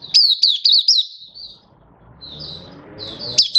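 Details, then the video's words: Caged Malaysian white-eye in Singapore, warm sunny day, 20 March 2023: quick run of high piercing chirps, a pause filled with soft low background rumble, then a quiet warble and renewed sharp notes. "Malaysian Mata Puteh Happy Buka Sing"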